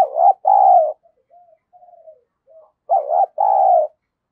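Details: Spotted dove used as a decoy to provoke rivals, cooing in paired loud burry notes, soft murmured notes between, then another pair of strong coos; no other sounds.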